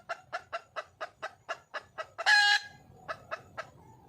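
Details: A wild junglefowl hen calling to find a male, with rhythmic clucks about every quarter second, interrupted midway by a brief loud, raspy outburst before the clucking resumes.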